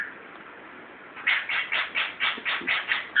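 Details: A 14-year-old pet Timneh African grey parrot, chatty and happy indoors in a recently moved-into house. After a quiet second come about eight quick, evenly spaced chattering notes, ending in a sharper squawk.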